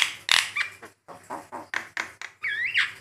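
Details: Javan myna (jalak kebo) master song: scratchy chattering notes and grating squawks, opening with a loud screech and ending with a wavering whistled, squealing phrase.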